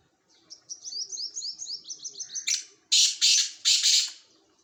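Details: A run of high, quick swooping chirps from another bird gives way to three loud, harsh rasping bursts from a black francolin, evenly spaced about half a second apart.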